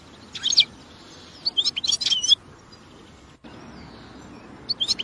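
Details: Wild European goldfinch singing in nature: short bursts of high, tinkling twitters and chirps, with a thin faint whistle in between and a quiet pause near the middle, over soft outdoor background noise.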